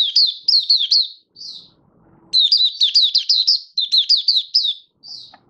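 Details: A kept Malaysian Oriental white-eye, not yet in top form, delivers its opening song: rapid strings of high, bright, wavering chirps in two long bursts separated by a short silence.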